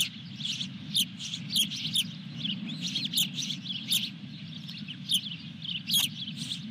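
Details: Osprey at the Dunrovin Ranch nest on 23 June 2021, with a fish delivered. Insistent high chirps are repeated irregularly, mixed with sharp clicks, over a steady low hum.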